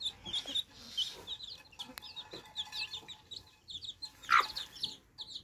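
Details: Baby chicks quenching their thirst with fresh water keep up a steady stream of thin, high, downslurred peeps, scattered through with sharp clicks and a loud tap late on.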